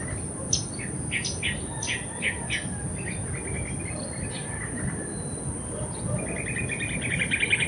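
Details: Blue-throated bee-eaters giving a quick run of sharp, downslurred chirps about three per second, then softer buzzy trilled notes, against a steady high-pitched insect whine and low rumbling background noise.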